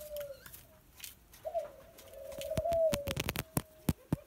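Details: A very tame young Barbary dove gives a soft, low, drawn-out coo lasting nearly two seconds, with a short coo at the start and end, among sharp tapping and clicking noises.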